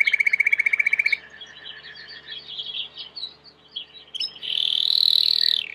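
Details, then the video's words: Belgian canary starting with a fast, bright trill, then soft, scattered chirps against steady background noise, ending with a loud, buzzy, sustained rolled phrase. "COMO FAZER SEU CANARIO CANTAR MUITO 20 MINUTOS DE CANTO"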